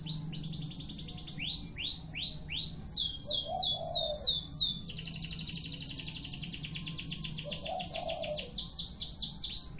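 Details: Canary singing a long-duration song: continuous high trills, fast descending sweeps repeated several times a second, then a long dense buzzy trill, over a steady low hum and soft lower murmurs.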